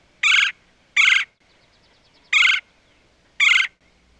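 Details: Woodpecker calling while pecking at a tree trunk: four harsh, nasal, squawking notes, each about a quarter-second long, spaced irregularly about a second apart. Low background hum.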